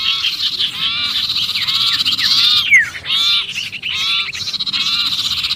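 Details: Trapped-sounding sirpu distress call meant to lure other birds: repeated arched chirps in noisy bursts about every second, one loud falling slur midway, over a continuous high hiss.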